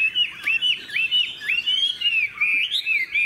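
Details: Tame Chinese hwamei, a caged bird, singing continuously: loud clear whistled phrases that slur up and down, looping and warbling in rapid succession with little pause, over a quiet background.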